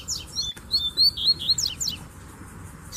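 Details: Several male double-collared seedeaters singing with a female nearby; clear high whistles with downslurred chirps and quick bright notes come in rapid succession, then trail off, set against faint low rumbling.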